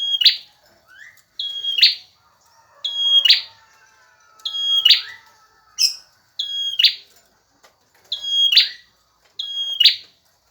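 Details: Male bar-winged prinia singing persistently, used to train other birds: a run of about eight repeated phrases, each a sharp level whistle closing in a buzzy flourish, repeated every one to one and a half seconds against quiet surroundings.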